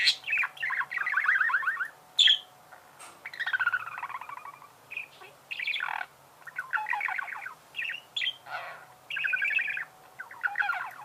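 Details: Budgerigars warbling continuously, rapid chattering trills and sharp chirps in short phrases, with scattered squeaks and a faint hum.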